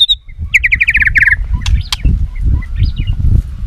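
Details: White-rumped shama fighting song used to fire up and train other shamas: a quick run of about ten short descending whistled notes, then scattered higher chips and a brief slur, over steady low rumbling background noise.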